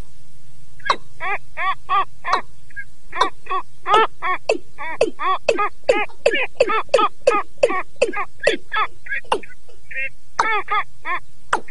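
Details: Male and female rails calling together, played through a loudspeaker as a trapping lure; a rapid series of harsh, ringing, harmonic notes repeated several times a second, loud and steady, with brief gaps.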